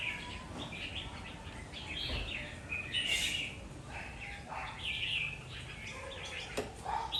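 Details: Red-whiskered bulbul, kept as a fighting songbird, gives short bright warbled phrases rising and falling, scattered through the recording over a soft background hiss and low hum.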